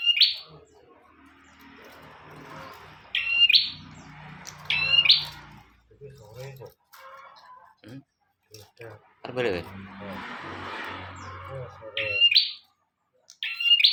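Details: Bar-winged prinia singing for a master recording: scattered buzzy rising phrases with high chips, in bursts a second or more apart, with people talking quietly and rustling noise between them.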